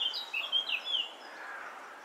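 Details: A male Eurasian blackcap, worn from feeding chicks, sings in a chestnut tree: a quick burst of clear, fluty warbled notes, high and varied, lasting about a second before fading into soft hiss.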